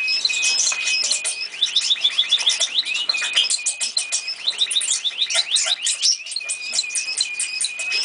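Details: Old pet canary, kept for years, singing: dense rapid twittering with fast trills and sweeping whistled notes that run on without pause, echoing slightly as in a room.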